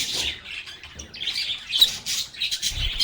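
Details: Lovebirds chatting, giving shrill squawks and twitters in loose repeated bursts, with soft low knocks underneath.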